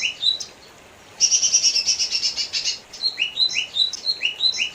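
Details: Lesser green leafbird: a few upslurred whistles, a long scratchy high trill, then a lively string of alternating rising whistled notes.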